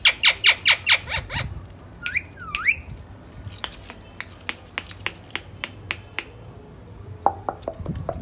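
A ring-necked parakeet gives a burst of harsh, rapid squawky syllables, two quick rising whistles, then a string of sharp clicks and chatter in a small room.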